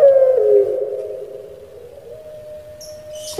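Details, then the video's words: Captive Barbary dove of the puter pelung type from Indonesia, singing in the 'menangis' (crying) style: one long, steady, mid-pitched coo that dips slightly early on, then holds level, with a brief hiss at the end. "𝙋𝙪𝙩𝙚𝙧 𝙋𝙚𝙡𝙪𝙣𝙜 𝙎𝙪𝙖𝙧𝙖 𝙈𝙀𝙉𝘼𝙉𝙂𝙄𝙎 // 𝙋𝙪𝙩𝙚𝙧 𝙇𝙖𝙣𝙜𝙠𝙖𝙝"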